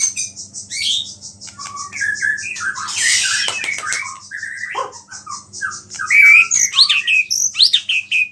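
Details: White-rumped shama song full of small-bird phrases that is said to provoke other shamas. Varied short whistles and chirps tumble at different pitches around a noisy burst, followed by bright upslurred whistles.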